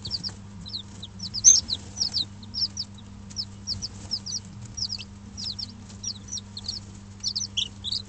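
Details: Dutch bantam and Barbu d'Anvers chicks, five days old, indoors in a brooder under an electric hen for warmth; many high, thin peeps come quickly and overlap in bursts, over a steady low electrical hum.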